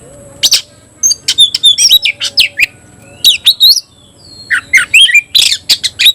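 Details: Oriental magpie-robin (kacer), a kept cage bird, delivering its 'tayoraky'-style song while fanning its tail. High, sharp whistles and downslurred notes come in short bursts separated by gaps, with a faint steady background hum.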